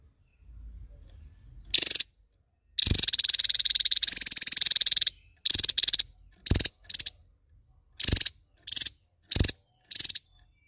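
Javan Tesia giving high, dense buzzy trills: one long two-second burst, then a string of short bursts about once a second.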